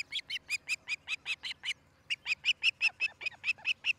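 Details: Osprey at its nest in Charlo, Montana, filmed by a nest camera on the morning of 13 July 2018; a pair nests there. Quick run of about eleven sharp, high piping notes, a brief pause, then about ten more.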